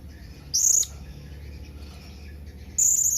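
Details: Blue-crowned hanging parrot calling to companions with two drawn-out, very high, shrill squealing notes about two seconds apart, against quiet low background noise.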